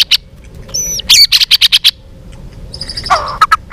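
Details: White-rumped shama singing a fighting song: a high looping whistle, then a quick string of sharp bright notes, a pause, and a softer burst of twittering near the end.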